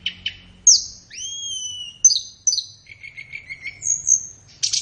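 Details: Flowerpecker training song for captive birds, best used in the morning or afternoon: two short chips, long thin high whistles in descending slurs, then a quick stuttering trill and a final high whistle.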